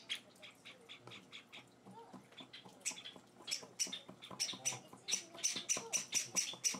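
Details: Java sparrow chicks, four days after arriving in their new home, beg at feeding with rapid, high, scratchy chirps, about four a second, growing louder and shriller toward the end.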